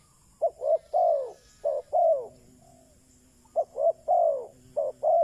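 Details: A lure spotted dove calls to draw wild doves: two phrases of two short notes and a long, arched, falling coo, separated by about a second of quiet with a soft murmur.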